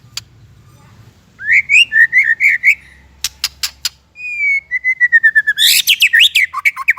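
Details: White-rumped shama song from a training recording for young and silent shamas: a string of bouncing whistled notes, sharp clicks, then a long descending whistle breaking into a rapid, rich jumble of chirps and trills.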